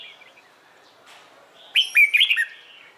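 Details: A red-whiskered bulbul sings a training phrase of its morning competition song. Quiet high chirps come first, then one loud, clear run of rapid, slurred whistles rising and dipping for under a second.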